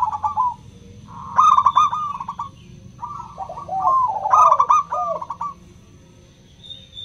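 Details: Zebra dove, local type with crystal voice, used to stimulate non-singing doves: soft coo, then vibrant trilled bursts and curving downward slurs, phrases spaced about three seconds apart, then quiet.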